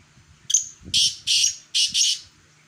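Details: Black francolin (kala teetar) from Khushab giving a harsh, rasping call: a short scratchy note, then four loud, grating, broadband bursts in quick succession over about a second, with faint low rumble behind.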